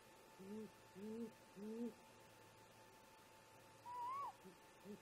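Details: Wild great grey owl parents talking to each other at a snag nest around 4:25 in the early morning. Three soft, low, slurred hoots come in quick succession, then a higher whistled note rises and falls, and a faint low note follows over a steady hum.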